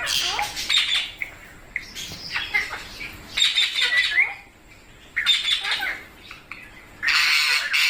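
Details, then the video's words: Parrot squawking: loud raspy bursts with short gliding whistled notes and chatter between them, repeated roughly every two seconds, ending in a long harsh screech. "Amazing Parrot Talking Videos| Parrot Natural Sounds Videos/ Voice"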